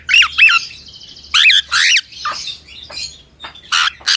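A cockatiel gives sharp, slurred chirps and rising whistled notes in quick, uneven bursts.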